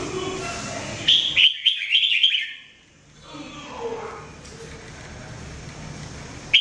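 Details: Red-whiskered bulbul, called jambul or mebah jambul, singing for bird training: a short burst of bright warbled notes around the middle, then fainter distant phrases over steady background hiss.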